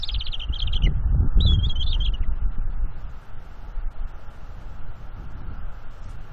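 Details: Juvenile bald eagle on a nest in Florida, 19 April 2021, mantling over fish and claiming them from its parents; high squealing chitters in quick descending runs for about two seconds, with loud low wind rumble and clatter beneath, then quieter.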